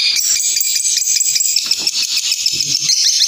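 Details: Long-tailed shrike singing hard, fighter style: a tight, fast, buzzy rattle of high notes running without pause, with a shrill whistled layer above.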